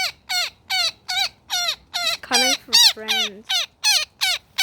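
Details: Woodpecker trapped in a net during its rescue, calling with loud, raspy, descending squawks in a quick series, broken briefly near the middle by a man's low voice.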